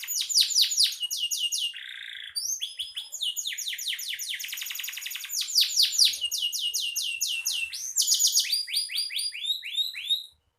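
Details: Singing canary, a master song for teaching other caged songbirds; fast rolling trills of repeated descending notes change into new phrases every second or two, broken once by a brief buzzy rasp, all high-pitched and clean.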